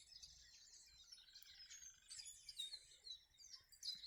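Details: Several birds singing outdoors, a jumble of high twittering and chirping phrases overlapping throughout, with faint background noise.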